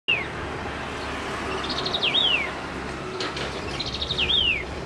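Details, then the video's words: Streaked laughingthrush singing one of its many songs: a clear whistled phrase repeated about every two seconds, a quick stutter of notes then a rising note slurring down, over a low background rumble. "Streaked Laughingthrush Singing"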